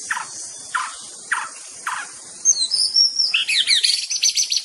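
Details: White-rumped shama (murai batu) opens with four short buzzy downward notes spaced evenly, then bursts into a dense, very high chattering song of rapid varied notes, with insects droning throughout.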